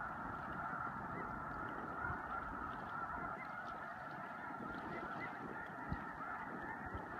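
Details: During spring migration at Choteau, Montana, in March 2015, a large flock of snow geese gives a dense, continuous chorus of nasal, yelping honks that overlap without pause.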